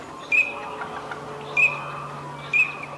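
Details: Eurasian teal displaying in courtship at a Spanish wetland, Aiguamolls de l'Empordà, on 25 December 2015: three brief high-pitched whistled notes, roughly one per second, against a quiet background with a faint low hum.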